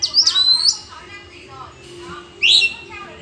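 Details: Forest Oriental magpie-robin in a singing contest with rivals, giving loud slurred whistles, one sweeping phrase followed after a pause by a rising, buzzy note.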